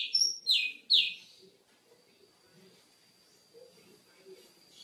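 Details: Oriental magpie-robin (kacer) singing a training song for cage birds: three loud, sharp whistled phrases that sweep downward in the first second, then near quiet with soft low murmurs and a faint steady high tone.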